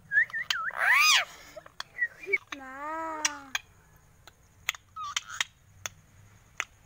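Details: Alexandrine parakeet imitating human speech: a sharp squawk-like syllable, then a long, smooth voice-like phrase that dips and levels, followed by scattered clicks and short chirps, with soft music behind.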